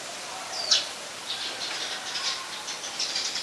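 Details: Scaly-breasted munia recorded at Ubon Ratchathani, Thailand, on 31 December 2020: one thin, high, downslurred call note early on, then faint scattered high chips against quiet background hiss.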